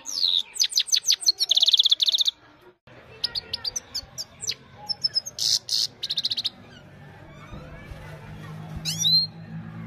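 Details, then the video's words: Himalayan goldfinch singing at evening, recorded on a mobile phone: bursts of rapid high twittering and buzzy trills with sharp repeated notes, pausing briefly, then a quieter twitter over a low steady hum. "Gold finch simple singing this is really amazing bird song"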